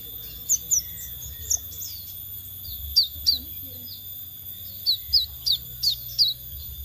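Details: Lure recording of a scarlet minivet: sharp, high downward-sliding whistles, first in scattered pairs, then a fast series of five notes toward the end. A constant faint electronic tone sits beneath them.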